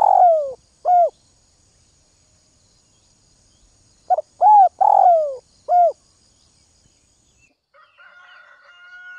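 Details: In the early morning, a spotted dove from Northwest Vietnam calls in short bursts of husky, arched coos in two groups, the first of two notes and the second of four; a faint higher chirping follows.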